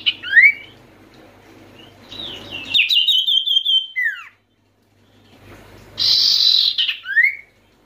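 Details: Sirtu (Oriental white-eye) call meant to get lazy birds singing: rising whistled notes, a long high trill ending in a downward slur, silence, then a harsh hissing burst and a rising whistle.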